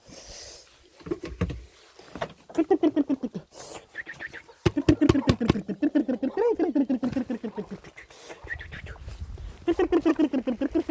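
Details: Chickens giving bursts of rapid, evenly spaced clucks, about four a second, each burst sliding slightly downward in pitch. Short pauses separate the runs, with faint background noise between them.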